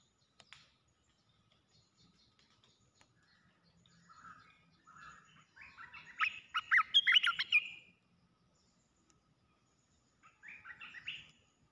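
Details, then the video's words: Red-whiskered bulbul in a decoy cage on the ground, dancing and not settling: soft chatter builds into a loud run of tumbling warbled notes, followed later by a shorter second phrase. "ต่อนกกรงตาแดง รำไม่ยอมลง ตั้งดินเสียเลย suara merbah belukar"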